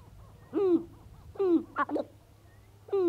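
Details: Male sharp-tailed grouse on their lek north of Great Falls, Montana, on an April 4 morning, about 30 birds present; low hooting, descending calls with harmonics, repeated about every 1.2 seconds, with short clucks between.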